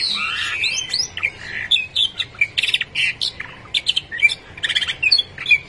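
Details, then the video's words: A canary, long apart from its companion, sings a quick, varied run of high chirps, sweeping whistles and harsh buzzy bursts in rapid, uneven succession, with no other sounds. "el efecto del canario por mucho tiempo sin ver a su amigo hasta que se olvidó de su voz"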